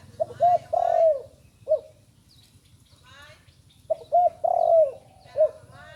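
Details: Spotted dove, young and new to calling, repeats its phrase twice. Each phrase has quick paired coos, a long mellow falling coo and a short trailing note, separated by a pause with faint clicking sounds.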